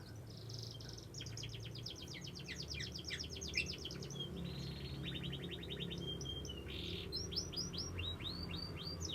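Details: Young canary singing over steady low background hum: a high rapid trill, then runs of quick repeated sweeping notes, short buzzy bursts, and a string of clear downward-slurred whistles at the end.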